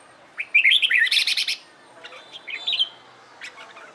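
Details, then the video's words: Red-whiskered bulbul giving a burst of bright, warbling phrases that rise and fall, then quieter chattering notes and a second short phrase. "LUYỆN CHÀO MÀO HÓT ĐẤU/ CHÀO MÀO MÚA HÓT CHÉ VUI NHỘN"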